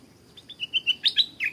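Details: Stripe-throated Bulbul at a canal, where a caged young decoy bird faces a fighting wild bird; a brief burst of bright, fluty rising and falling notes, loudening toward the end.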